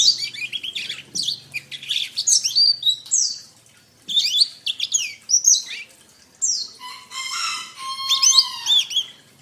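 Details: Canary masteran song for training birds: bursts of sharp, high, swooping notes in quick sequences separated by short gaps, ending with a buzzy trill over a long low steady whistle.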